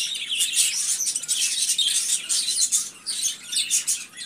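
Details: A flock of budgerigars keeps up a steady high twittering, thin squeaky notes and scratchy chirps crowding one another with a few louder pulses.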